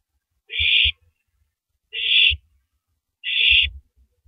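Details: Owl eating a big rabbit before dawn, April 9, 2012, 3:33 AM; three steady, breathy screeches about one and a half seconds apart, each with a soft thump beneath it.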